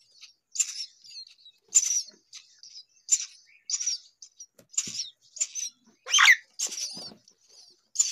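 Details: Hungry baby myna begging: harsh, raspy high calls given in short bursts roughly every half second to second, some louder squawking bursts, with quiet gaps between.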